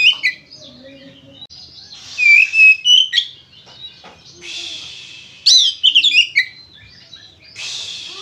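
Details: Energetic fighting-style song of an Oriental magpie-robin, used to get other magpie-robins singing: clear whistled notes, harsh hissing bursts, and quick, looping warbled phrases alternating over several seconds.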